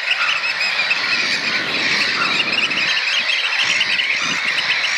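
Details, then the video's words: Three juvenile Eurasian oystercatchers, probably nestmates, practise piping together while an adult occasionally joins the huddle: a dense, continuous chorus of shrill, rapid peeps with overlapping squeaky notes and no pause. "OYSTERCATCHERS PIPING"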